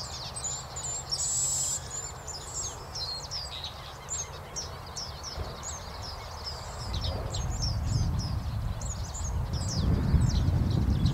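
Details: White-browed Meadowlarks, displaying in southern-hemisphere spring breeding season, give a steady stream of short, high, sliding chirps, several birds overlapping, over a loud rumble of wind.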